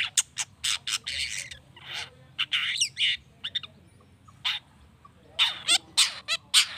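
A long-tailed shrike gives harsh, scratchy bursts and quick twittering notes in uneven clusters, mostly high-pitched, with faint low background hum.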